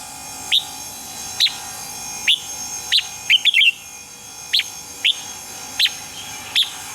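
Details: Red-whiskered bulbul in morning song, recorded to train caged birds: sharp high single chirps repeated roughly every half to one second, with one quick rippling three-note phrase in the middle.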